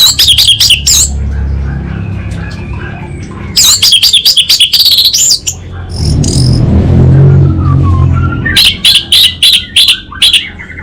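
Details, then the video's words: Energetic 'kabel konslet' song of an orange-headed thrush (anis bata): dense high chattering bursts separated by short pauses, a rumbling noise midway, then rapid repeated notes, with low background hum. "ANIS BATA Berkicau Gacor"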